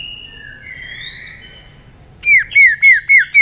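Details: White-rumped shama singing a competitive, many-voiced song in 'string voice' style. Soft, drawn-out whistles lead into five loud, clear down-slurred notes repeated about every quarter second.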